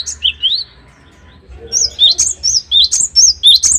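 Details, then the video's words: Great tit (gelatik batu) singing actively, used as training material for caged songbirds; after a quiet gap, high thin whistled notes follow in quick succession, sliding upward and varying slightly in pitch. "Burung Gelatik Batu Gacor"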